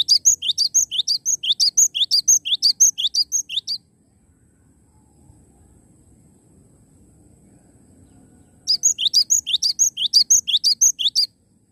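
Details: Cinereous tit in vigorous song: a long run of rapid, evenly repeated high chirps for nearly four seconds, a quiet gap of about five seconds, then a second equally fast run of bright rising notes.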